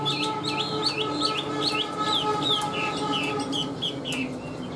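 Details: Tame caged Chinese hwamei with a strong beak and even voice sings a rapid series of looping, repeated whistled phrases, about three per second, against a steady background hum.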